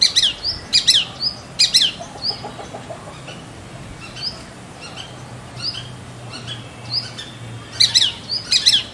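A Shikra gives sharp, high, harsh notes in short clustered bursts, pausing between groups; faint thin whistles from other birds sound in the background.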